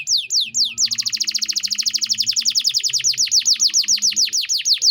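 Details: Canary singing a 'gacor' master song with 'cengkok mewah' (luxurious phrasing), used to tutor other songbirds: a few high downslurred notes, then a long rapid trill of sharp descending notes, steady and ringing.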